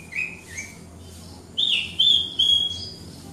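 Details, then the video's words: Horsfield's bush lark of the Javanese Wates type, singing hard in captivity: two soft descending chirps, then three loud, drawn-out high whistles in quick succession, with faint hum underneath. "Branjangan Wates Gacor Dor - Branjangan Javanica"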